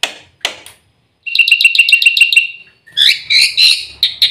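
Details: Black-winged myna (white starling) filler song, used as a training lure so birds sing. A few sharp clicks are followed by a quick run of ringing repeated chirps, then loud buzzy, warbled phrases. A faint low hum is heard.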